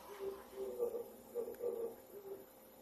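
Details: Short stretch of a male Oriental turtle dove's dawn song in Japan, early September, sung in breeding season to court a female and claim territory; a few soft, low coos in quick succession.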